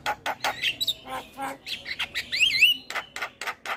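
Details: Black-winged myna song played as a tutor to stimulate quiet mynas: rapid throaty chuckles and clicks interwoven with bright whistled upslurs and twisting whistles in the middle, continuing with sharp chatter.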